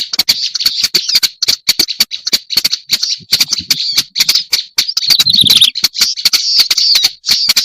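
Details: Black-browed reed warbler lure recording used to attract birds: dense, rapid bursts of harsh chattering clicks and scratchy notes, almost continuous with brief gaps, shrill and high-pitched throughout.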